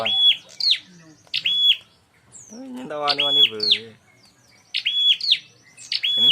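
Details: Bar-winged prinia calling as a fighting lure: sharp, high chirps repeated in short bursts, interrupted midway by a man talking, then more chirps.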